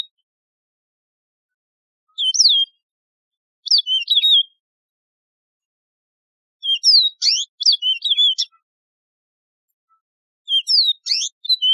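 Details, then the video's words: Yellow-fronted canary, a wild canary also called Mozambique serin, singing a high-quality tutoring recording: short bursts of sharp, high whistled and slurred notes, delivered in separated phrases a second or more apart, with silence between. "شريط تغريد البسبوس الموزمبيقي"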